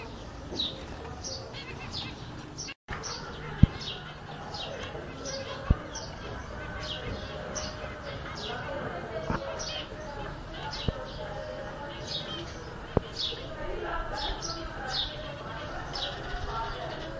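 Zebra finches give quick, nasal, toy-trumpet beeps, overlapping in a busy chatter over a low background hum.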